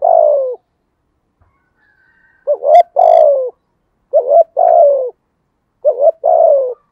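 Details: Spotted dove cooing in the 'thổ' voice style. Four phrases in quick succession, each made of a pair of short upturned notes and then a drawn-out descending coo, roughly every one and a half seconds.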